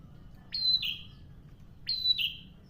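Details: Two crisp phrases from a singing prinia, each opening with a high sharp note and dropping to a rasping lower note, about a second and a half apart.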